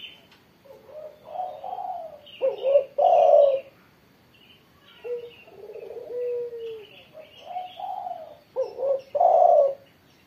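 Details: Spotted dove cooing energetically after morning sunning: repeated phrases of soft notes ending in emphatic longer coos, with a quieter low drawn note between them. Small birds chirp throughout at higher pitch.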